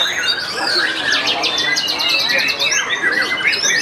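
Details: White-rumped shama competing in a songbird contest, Umi Kasum Cup 3 at Wiladatika Cibubur, Indonesia, placing first; dense, varied song of rich whistles, fast trills and quickly repeated notes running without pause, with faint voices behind.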